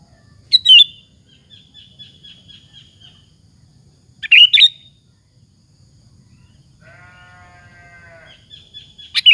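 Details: Sooty-headed bulbul singing as a lure to rouse rival bulbuls to reply: short, sharp, liquid phrases every few seconds, each trailing into a thin, level whistle, and one lower, buzzy harmonic note.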